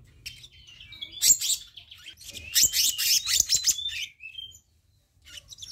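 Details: Harsh, scratchy chatter from a black-naped monarch, set as a tutor or lure track, with thin whistled slides threaded through a busy two-second run before it fades out.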